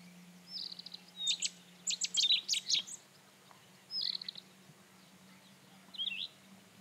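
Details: Song of a Rufous-tailed scrub robin: a brief whistle leads into a dense cluster of loud, sharp, repeated notes. Short twittering phrases and a final slurred whistle follow after gaps, over a quiet steady hum.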